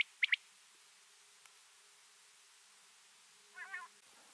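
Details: Quail, a male and female pair meeting, give two quick sharp high notes, then after a quiet pause a lower, buzzy, harmonic triple note; the background is otherwise still.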